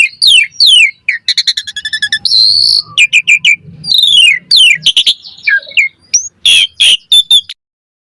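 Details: Asian pied starling in full song, used as a lure to provoke a reply and as a tutor for training birds: rapid run of loud, high whistles, sharp downslurred notes, buzzy trills and harsh chattering bursts, ending briefly in silence.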